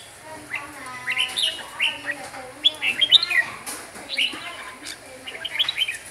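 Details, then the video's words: Huế red-whiskered bulbul in full song, delivering clusters of quick slurred whistles and chirps with brief pauses between bursts, over faint lower tonal background sounds. "Chào mào huế hót cực nhiều cực đỉnh"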